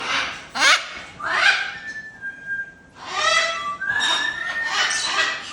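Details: Caged blue-and-yellow macaws for sale at a Dubai pet market give harsh, broad raspy squawks in irregular bursts, mixed with a few clear whistled notes, over a busy background.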